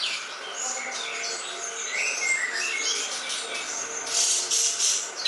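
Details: Greater green leafbird song used as masteran tutor material for songbird training: varied high whistles and short slurred notes, with a thick layer of rapid chirping that grows brighter toward the end.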